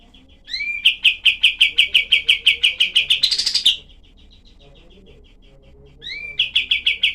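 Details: Kapas tembak, the cream-vented bulbul, delivering rough tutoring material for songbirds such as murai batu and kenari. Two bouts, each opened by rising slurs, then tightly packed staccato notes and a loud raspy burst, with a quiet pause between them.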